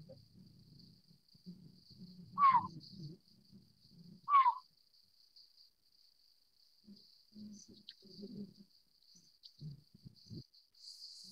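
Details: Collared scops owl, Taiwan endemic subspecies Otus lettia glabripes, uttering two brief, slurred, falling mewing notes two seconds apart, with low rustling and murmuring noise and a constant high insect trill.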